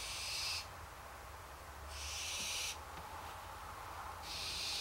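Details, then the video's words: Hungry barn owls giving long, breathy, snoring hisses, each a second or more, repeated with short pauses, over a low rumble. "Hungry Barn Owls"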